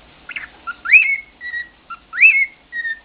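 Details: Elderly pet cockatiel singing the Andy Griffith theme in his own garbled way: short whistles, an upswept note and level tones, the phrase repeating twice in quick succession.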